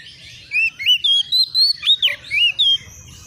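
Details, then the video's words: Kacer, an Oriental magpie-robin, young and untrained, replying excitedly to a rival with a quick series of about nine loud, sweet, looping whistled notes, some rising and some dipping, over a faint low hum. "SEKETIKA ITU KACER BAKALAN LANGSUNG NYAUT EMOSI KONSLET!!!burung Kacer cari lawan"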